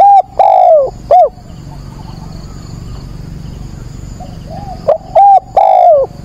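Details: Decoy spotted dove calling at dawn on 22 October to draw in and provoke wild doves. Loud, rich, harmonic coo phrases come in two bursts at the start and the end, with quiet coos in the gap and a steady thin insect-like whine behind them.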